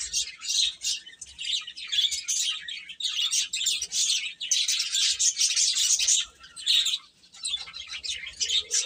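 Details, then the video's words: Chicks calling in a busy chorus of high, piping chirps, steady for several seconds with a short lull before it resumes. "Cute Chicks Chirping Sounds"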